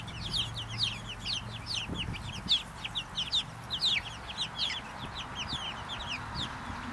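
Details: Small flock of Brahma chickens peeping constantly, a busy chorus of sharp high chirps over low background rumble.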